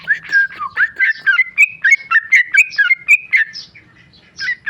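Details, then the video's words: Sooty-headed bulbul, a tame male, delivers a fast ropel song: a tumbling run of bright chattering whistled notes, pitch wavering and rising, fading briefly before two more phrases. "Trucuk jinak ropel"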